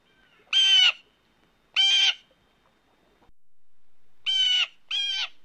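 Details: Mating call of a blue jay: five rough, rasping notes, two spaced singly, then a pause, then a closer-set pair, each note harsh and nasal with a clipped end.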